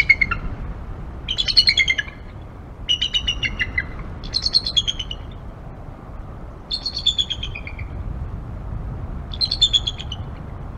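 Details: Two wild bald eagles vocalizing together on the nest tree's Y-branch at Decorah, about 10:45 am, 01-11-2022: six separate bursts of high, stuttering chitters roughly every one and a half to two seconds, each falling slightly at the end.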